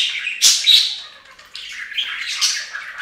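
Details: Bathing budgies at a bird fountain give quick, grating chirps and squawks, a sharp burst early, then softer scratchy warbling.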